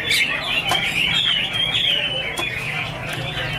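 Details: Chinese hwamei, called angry, dancing and singing in the Iron Ax Blade Cut Wood style: a thin, wavering whistled line with bending notes over steady background noise, with a few sharp clicks.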